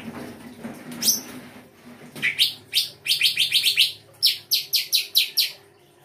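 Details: Full song-fill recording of a songbird from the Indonesian bird-song hobby: a rising sweep, then long runs of rapid, piercing high chirps, about a dozen in close succession, with low rumbling at the start.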